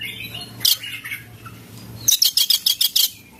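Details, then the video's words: White-rumped shama song, a fill-in repertoire in cililin style: a burst of bright high notes near 0.7 s, softer warbles, then a rapid series of about eight sharp, clicking high-pitched notes repeated quickly at the end, over a low steady hum. "Mb isian cililin"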